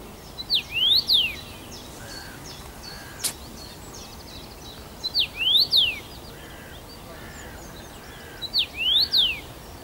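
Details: Singing first-summer male Common rosefinch in Bazel, Belgium, 7 June 2015, returning to the same branch: short clear whistled phrase of a brief note, a falling slur, a long rising whistle and a falling one, repeated about every four seconds.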